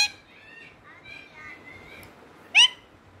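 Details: Parrot talking, wavering speech-like harmonic phrases at moderate loudness followed by one short, loud, rising squawk near the end.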